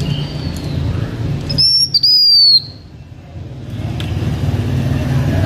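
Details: Blue-winged minla, decoy singing from a H'Mông keeper: a faint whistle, then one strong, high, clear phrase that climbs a little and glides down, followed by quiet low background hum.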